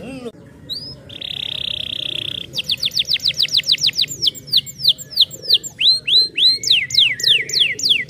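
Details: Canary song meant to stimulate silent canaries to sing: a steady buzzy held note, then rapid rolls of clear whistled notes sweeping downward, repeated several times a second, shifting into new trills and upward slurs.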